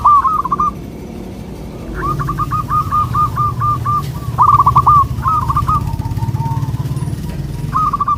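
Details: Zebra dove song played as a lure for local doves: a long run of stuttering coo notes followed by shorter phrases, over strong low rumbling background noise.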